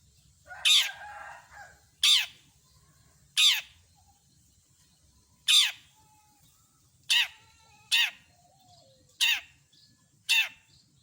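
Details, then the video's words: Long-tailed shrike (cendet) singing with mimicry: loud, harsh, rasping downslurred notes given singly every one to two seconds, eight in all, with quiet gaps between. "Masteran burung CENDET gacor isian lengkap"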